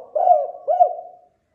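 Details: Spotted dove lure sound: two soft, mellow coos in quick succession, the second with a slight rising-then-falling hook, trailing into a sustained low tone; clean background.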